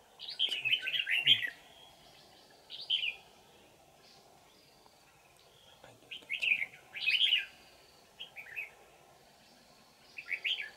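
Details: Wild forest red-whiskered bulbul, caught with a decoy on 20 December 2018, delivers repeated bell-like twisting song bursts of fast rolling whistled notes with brief gaps between, plus faint clicks and a steady background hum.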